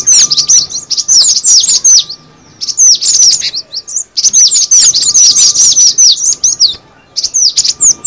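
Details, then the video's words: Lure recording of cinereous tit: busy strings of thin, high chirps and downward-swept tweets in bursts of about a second, separated by short pauses, over a faint constant hum. "suara pikat burung gelatik batu"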